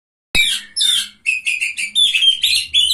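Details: Oriental magpie-robin, a third-place winner at a bird singing contest, sings a run of short, high, buzzy phrases after a silent start, each burst separated by brief pauses, with a faint low hum underneath.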